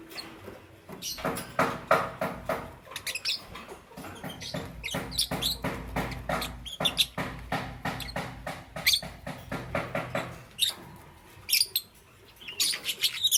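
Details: Green, yellow and lutino lovebirds in the morning: dense, harsh broadband chirps in rapid overlapping bursts, nearly continuous with brief pauses, over a faint low hum.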